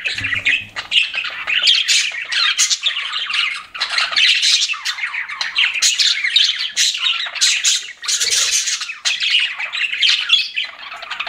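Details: Pet budgerigars chirping indoors: long, continuous squawky warbling and chatter from several birds, steady and busy with only brief dips, bright and rasping.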